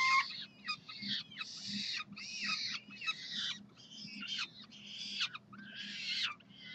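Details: University of Calgary peregrine falcons begging for food one Saturday morning in June 2012, giving a run of rasping, chattering wails about every half second, each broken and slightly falling.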